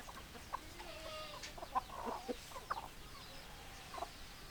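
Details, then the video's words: Hens clucking softly at a distance: scattered short, low clucks spaced irregularly over a faint hiss of background noise. "Chicken Sounds Noises Hens Clucking Roosters Crowing"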